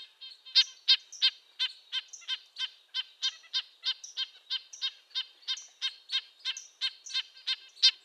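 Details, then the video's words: Red-breasted nuthatch calling in a quick, even run of brief nasal tooting notes, roughly three each second, high-pitched and tin-trumpet-like, continuing for the whole stretch without pause. "Red-breasted nuthatch sounds, Sounds of the Canadian Nuthatch"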